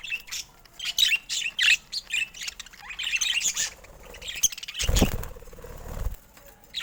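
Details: Budgerigars in bright colors trade quick high chirps and short squawky notes, followed by a low fluttering rumble like wingbeats.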